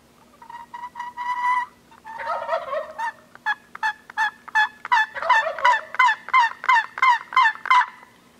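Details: Gould's wild turkeys on Mt. Lemmon, southeastern Arizona, give a few opening clucks, then a run of harsh, nasal yelps, about three a second, over a faint steady hum.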